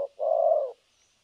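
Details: Single low, mellow coo phrase from a spotted dove used as a trapping decoy, thổ cấn sấm nước style: a brief clipped note then a longer drawn-out coo.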